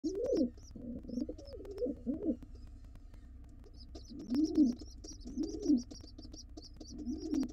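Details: Wild pigeon nestlings in a nest box begging to be fed as their father returns: thin high peeps repeat throughout, under loud low throaty bursts and moans from around the nest.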